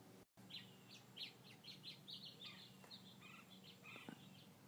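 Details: Quail in a back yard give a quick run of short, high chips and twittering notes, several to a second, over a faint steady low hum.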